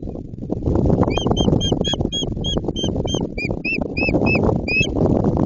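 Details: White-tailed eagle near Jedwabno, Poland, as nest construction begins for the season: a long run of high, clipped yelps, roughly three per second, over strong, constant wind roar.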